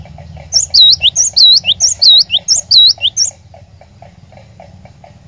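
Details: High, clear whistled phrase of a cinereous tit, played to coax caged birds into song: about seven rapid down-up swooping notes with short sharp accents, followed by quiet with a soft ticking hum.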